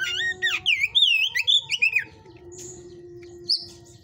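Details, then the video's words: White-rumped shama of the hot type, caged at a breeder's, pouring out a quick run of sweet, wavering whistled notes in loops, then falling quiet except for one high note; steady low hum. "Bunyi kacer tipe panas"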